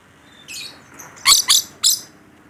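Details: Rainbow lorikeet, a caged bird described as in full voice: a soft raspy note followed by three loud, harsh, shrill screeches.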